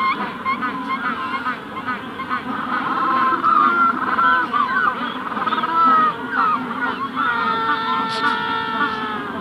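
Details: Hatching-season Magellanic penguin colony, adults close: a long braying sequence that swells from soft murmuring into loud, wavering harmonic calls, ending with a sustained steady tone, other penguins audible far off.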